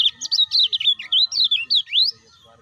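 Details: Caged lemon-bellied white-eye, used to coax other cage birds into song, giving a quick burst of about nine bright, looping whistled chirps that rise and fall, ending on an upward sweep.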